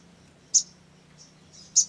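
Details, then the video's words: Olive-backed sunbird, used as a lure to get birds calling, gives two sharp, very high chips about a second apart, with softer high notes between and a faint low hum behind. "SOGON GACOR !! PANCINGAN SOGON AGAR BUNYI"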